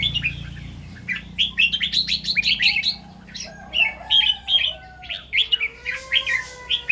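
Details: Red-whiskered bulbul singing in the morning in the doubled 2-3 and 'rik' styles: quick bursts of bright, warbled whistled notes repeated in clusters, with softer lower whistles in pauses and faint background birds.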